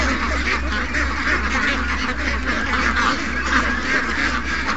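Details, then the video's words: Morning rush of over 700 ducks and geese, young ducks among them, giving a steady wall of overlapping quacks and nasal calls, with a low hum underneath. "Young Ducks Not In A Rush... 700+ Ducks & Geese Morning Rush"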